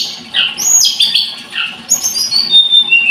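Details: Blood-breasted flowerpecker singing a fast run of high, squeaky downslurred notes and thin trills in two quick bursts, with a steady faint hum beneath.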